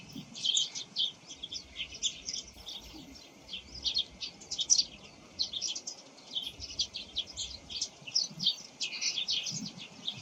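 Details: Eurasian tree sparrows (Passer montanus) in the morning in Japan, song and calls hard to tell apart: several birds chirp continuously, a busy run of short, bright chips and twitters, with a faint low background rumble.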